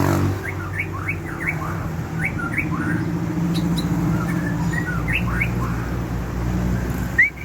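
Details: White-rumped shama of the Aceh type, singing actively in an outdoor setting, gives quick runs of clear rising and falling whistles, some in pairs, over constant low rumbling background noise.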